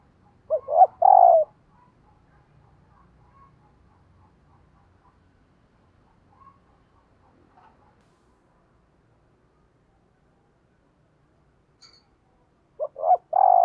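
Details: Decoy spotted dove cooing in the morning to attract wild doves. A clipped, husky coo phrase opens, followed by a long near-silent gap with faint rustling, then another phrase at the end.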